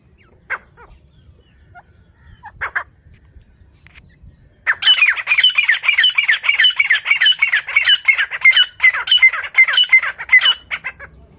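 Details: Francolin giving a strident, grating call, a few scattered notes and then a sustained rapid run of harsh, squawking syllables lasting about six seconds before stopping abruptly. Quiet background otherwise.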